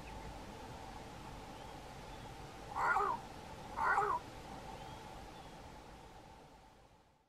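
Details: A Cape crow calling from a treetop, bowing and puffing up its throat with each call, gives two warbling, gurgling calls about a second apart over a steady background hum.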